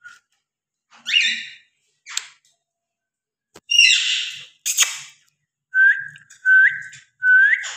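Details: A cockatiel in a cage gives harsh, scratchy calls, then a run of clear whistles that each rise sharply at the end.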